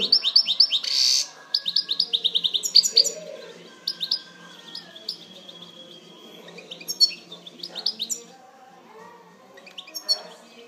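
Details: European goldfinch in song: bright, high twittering phrases made of quick repeated chirps and liquid trills, coming in bursts with short pauses between them, over a quiet hum.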